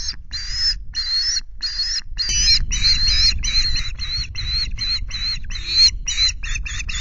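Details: Osprey calling at a Loch Garten nest with chicks in Scotland on 5 July; loud, insistent squealing whistles, spaced at first, then faster and shorter toward the end, with wind noise underneath.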